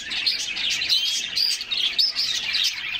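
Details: Bathing canaries in summer sing in a short passage of sharp, high chirps and fluid warbled whistles, several birds overlapping in a lively, unbroken stream.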